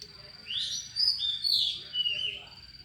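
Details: Oriental magpie-robin with an unusual song, played to lure or stir up another kept magpie-robin: high varied whistles and warbling slides in bursts over a steady thin tone and a low rumbling background.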